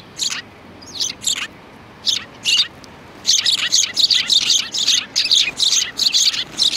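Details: Several sparrows recorded on 2 January 2019, giving high, sharp chirps, first spaced singly, then a dense, rapid run of overlapping tweets from several birds that carries to the end.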